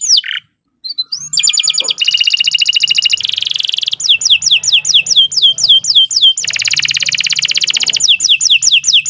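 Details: Canary song used to train captive birds, starting with a short gap, then fast rattling trills, buzzy rolls and runs of downward-sweeping whistles repeated several times a second, with a faint low hum underneath.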